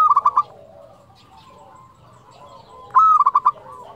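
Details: Indonesian zebra dove of local stock, flute-voiced. Two bursts of quick, evenly spaced coos come about three seconds apart. Between them, distant doves murmur low, wavering notes.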